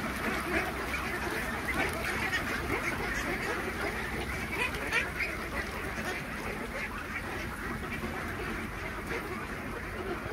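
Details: About 3000 Khaki Campbell ducks on a duck farm at feeding time give a dense, continuous chorus of overlapping harsh quacks, with no single bird standing out from the flock's steady din.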